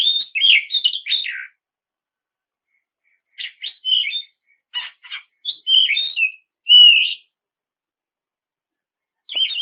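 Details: Oriental magpie-robin song meant to lure rival birds into singing: scratchy chattering phrases and short clicks mixed with clear whistled notes, a long silent gap, then another brief harsh burst.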